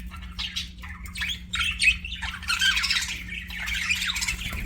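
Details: Pet budgies keep up a continuous chatter of scratchy warbles and short squawky chirps, several notes overlapping, over a faint constant low hum.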